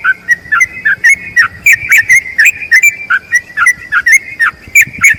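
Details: Tutor recording of a yellow-vented bulbul's long trill: rapid warbled whistles dipping and rising, delivered in close succession with sharp upper clicks and faint low background rumble.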